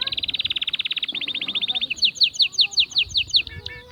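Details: Canary (Serinus canaria) song for stimulating females to mate and for tutoring. A fast, even trill runs for about two seconds. It shifts into slower loud, piercing notes repeated about five times a second, then ends in short chips.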